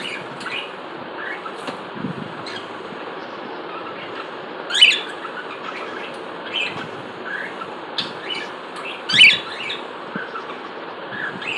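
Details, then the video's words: Cockatiel giving short, sharp chirping calls. Two loud ones stand out about four seconds apart, with fainter chirps scattered between them, all over constant hissing background noise. "Cockatiel Birds"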